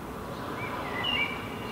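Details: Young herring gull fledgling in a Helsinki park, Finland, July 2016, calling as it gestures: a faint drawn-out thin whistle, then a brighter, higher whistle near the end, set against constant low background hum.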